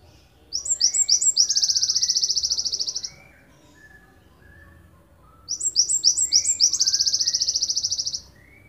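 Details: Java sparrow, endemic to Ponorogo and kept as a master bird for training songbirds, singing long bursts: two phrases, each opening with a few quick chipped notes and running into a dense, even, high trill lasting about two seconds, with softer lower notes between.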